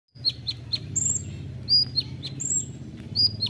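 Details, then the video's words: Olive-backed sunbird, known locally as kolibri ninja, on a songbird training recording in the rapid 'nembak rapat' style: short, sharp, high chirps scattered irregularly over a steady low hum. "masteran kolibri ninja (konin) nembak rapat"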